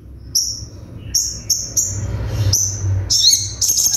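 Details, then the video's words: Sunbird song meant for training other birds, with sharp bursts: short, very high, thin whistled notes at irregular intervals, ending in quicker, denser twittering over a faint low hum. "MASTERAN SOGON FULL TEMBAKAN TAJAM"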